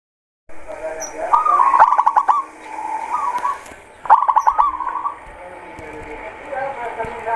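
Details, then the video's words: Local zebra dove giving a soft, rolling coo around one kilohertz, with a rapid stuttered opening that flows into wavering notes. The phrase repeats about two and a half seconds later, and faint clicks sound in the background. "Suara Perkutut lokal"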